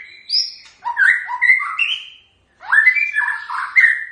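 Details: A white-rumped shama sings two rich phrases of mellow whistles, each mixing low fluty notes with higher slurred ones, split by a short silent gap.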